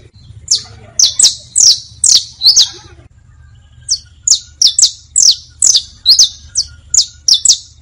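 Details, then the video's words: Saffron finch (canario) song used for teaching young birds, styles such as basto, pinto and fino: loud sharp downslurred whistles in two bursts, separated by a brief pause, over a faint low hum. "Una hora de Cantos para enseñar canarios, bastos, pintos, finos... (Sicalis Flaveola)"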